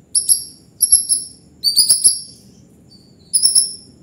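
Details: High, clear whistled phrases from a white-rumped shama singing gacor, four short bursts of piercing descending whistles spaced by brief silences.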